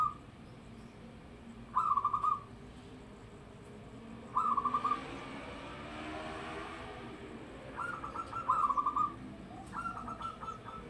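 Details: Loud-voiced local zebra dove giving short, rolling trilled phrases, spaced a few seconds apart, with several bunched toward the end; a soft rushing noise swells in the middle, and a steady low hum runs throughout.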